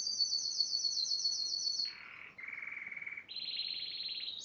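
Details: Yellow Spanish timbrado canary singing: a long high rapid trill, then a lower buzzy rattle, a steady mid-pitched trill, and a rising high trill in distinct blocks.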